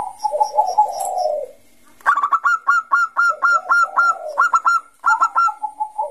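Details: Bangkok-type zebra dove singing steadily in 'ngayer' style, used to coax young doves into singing: a low warbling coo, a short pause, then a long series of sharp, evenly spaced staccato coo notes at higher pitch, ending with a softer trill.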